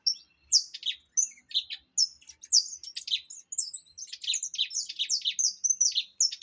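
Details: Saffron finch, opaline form, delivering a sustained high-pitched song of rapid chirps and buzzy trills, nearly continuous throughout with brief pauses around 1 and 4 seconds; faint low hum in the background.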